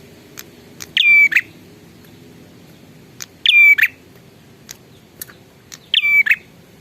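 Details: A lively prinia sings three loud, evenly spaced phrases roughly every two and a half seconds. Each is buzzy and harsh at the start, then a steady high whistle, ending in a rasp, with scattered faint clicks in between.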